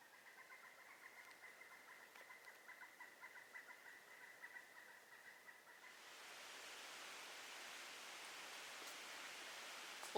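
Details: Pileated Woodpecker heard on a Foothills Trail thru-hike gives a fast, even series of ringing notes, about three per second, for six seconds, then a steady rushing noise takes over.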